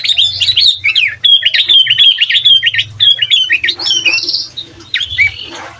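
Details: Sooty-headed bulbul singing to provoke other bulbuls, a master recording; a rapid run of chattering, wavering whistled notes for about three seconds, then a few harsher calls, with a low steady hum beneath.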